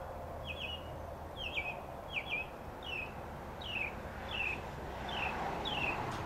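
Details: Mockingbird singing, recorded with a Sony HDR SR11 HD camcorder: a series of clear down-slurred whistled phrases repeated roughly every 0.7 seconds, with constant low rumbling noise underneath.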